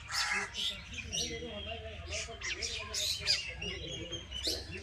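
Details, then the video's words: Several birds chirp in a village setting, with quick high twittering notes bursting in clusters, while a faint human voice murmurs lower down partway through. "bird chirping sound"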